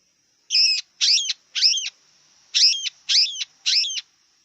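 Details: Wild long-tailed shrike giving loud harsh calls with bending harmonic whistles, in two groups of three about half a second apart, over a faint steady high background tone.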